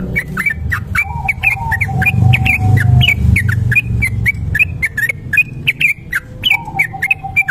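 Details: Long ropel song of a kebo-type Sooty-headed bulbul, used as a lure recording: a rapid chain of bright chirped whistles, about three per second, over a steady low whistle tone and rumbling low background noise.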